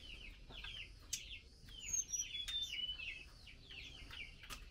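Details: Mealworm feeding prompts a female blue-winged minla to call the male: fast, evenly spaced falling chirps, about four per second, with faint thin high whistles from another bird midway.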